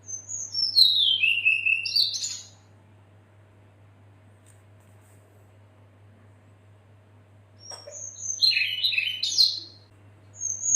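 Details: Female red-billed leiothrix calling the male, a recording used as a lure to get other birds singing; two bursts of high, rapid chattering and twittering notes with descending slurred whistles, separated by about five seconds of quiet, with a faint steady hum.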